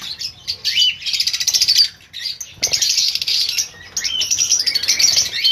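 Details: Lovebirds in a breeding colony on a pairs breeding farm fill the air with shrill, overlapping chirps and squeaky twitters. The chatter is nearly continuous, with a short lull near the middle.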